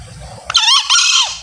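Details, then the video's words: Male green junglefowl crowing, a sound used to lure junglefowl on hunts and stir captive males to answer: a short, raspy, high two-note squawk with a downward-curving tail, over a low hum. "SUARA AYAM HUTAN JANTAN ( NGEKEK BERKOKOK)"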